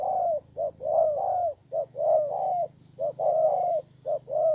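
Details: Ground decoy spotted dove, Kon Tum province, Vietnam, 23 September 2018, repeating a rhythmic pattern of a brief coo followed by a longer arched coo, about once per second, over a steady low mechanical hum.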